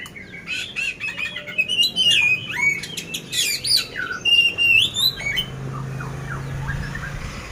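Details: Competition-ready poci oriental magpie-robin, Magelang, Central Java, Indonesia, singing a harsh-filled song of rapid mixed chirps, squawky notes and slurred whistles, about three phrases a second, before fading to quiet room noise with a faint low hum.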